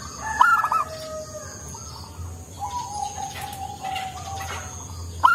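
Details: Local zebra dove, a keen singer with a mellow voice, used as a lure: a sharp rippling coo opens, then drawn-out low coos trail off, with another burst at the end and a faint constant high hum.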